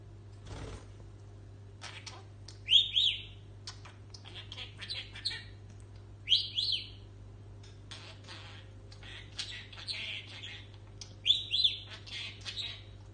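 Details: A pet talking budgerigar gives repeated two-part wolf whistles between soft warbling chatter.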